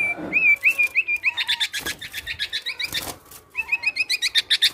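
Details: Male black-naped oriole in energetic song, copying other birds: a ripple of slurred whistles, then fast repeated bright chirps in quick succession, a short gap, and more rolling whistles.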